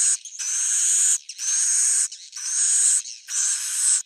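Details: Edible-nest swiftlet roosting call (suara inap), used to attract swiftlets: four rasping, buzzy bursts of about a second each, separated by short gaps, with a thin high whistle running through each burst.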